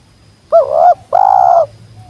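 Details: Spotted dove, locally tekukur, a wild bird that has come down, giving a sweet jergot-style call: a short wavering coo followed by a longer, steady, loud coo, close and clear against quiet low background noise.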